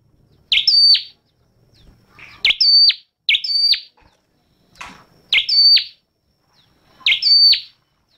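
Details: A red-headed flowerpecker sings five shrill, ringing phrases at somewhat irregular intervals. Each phrase is a quick swept note leading into a held high whistle with a falling finish. Faint low rustling is audible between phrases.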